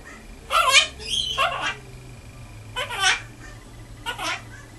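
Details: Green Quaker parrot, male, aged five, kept indoors as a pet, gives three separated bouts of raspy, speech-like mumbling, the first longest and doubled, with a faint low hum underneath.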